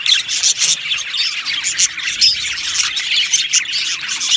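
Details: Group of Australian budgerigars in an aviary: loud, crowded chatter of sharp chirps, squawks and fast scratchy warbles, with several sudden louder bursts.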